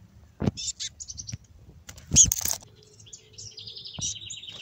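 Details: Black-capped chickadees, described as raspy, give a few short high chirps and a longer raspy, buzzy note near the end, with brief handling or rustling noises and a faint low hum.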